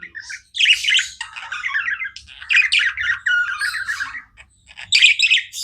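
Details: Budgies chirp in a long run of wavering, slightly rising and falling warbles and harsh squawks, breaking off briefly before a final loud burst.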